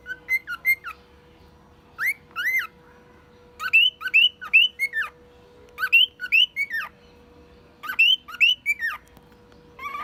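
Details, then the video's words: One-year-old pet male cockatiel singing and mimicking a car alarm, delivering clusters of two to four bright upslurred whistles, the clusters separated by short pauses, above a constant low hum. "Calopsita imitando alarme de carro e outros sons"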